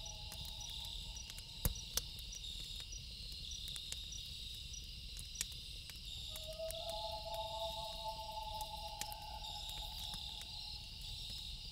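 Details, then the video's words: At night by a crackling campfire, a faint loon tone fades early, then after a pause a clearer drawn-out wail rises and holds for about three seconds, against a continuous high insect chorus. "Loon Calls With Campfire Sound"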